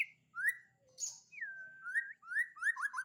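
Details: Champion white-rumped shama singing a series of clear slurred whistles, each swooping up and then falling, with a brief hissy note between phrases and quiet gaps separating them.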